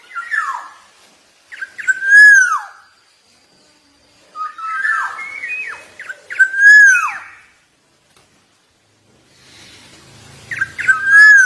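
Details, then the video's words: Black-naped oriole of the Javan golden variety singing busily. Loud, ringing whistled phrases with down-slurred ends repeat about every four seconds, with a faint low rumble near the end. "KEPODANG EMAS JAWA GACOR"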